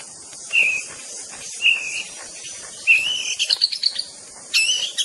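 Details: White-rumped shama (murai batu) singing: three clear whistled notes about a second apart, then a fast run of rising, twisting high phrases, over a constant high insect drone.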